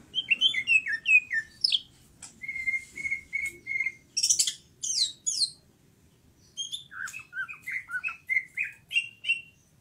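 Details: Greater green leafbird singing 'gacor' style: tumbling, falling slurred whistles, then a series of even, repeated whistled notes. Very high buzzy squeaks follow, then varied chirping phrases rising and falling.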